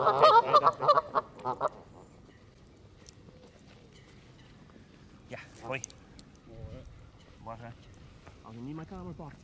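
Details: Close Canada geese feeding in a flock on grass by the water, completely surrounding the camera: a loud series of rapid, harmonic-rich honks opens, then quieter separate honks and nasal calls follow every second or so.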